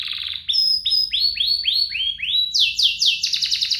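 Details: Lively canary duet used to coax young canaries into song: a short buzzy opening, then rising swooping notes about three per second, climbing into a rapid high rolling trill.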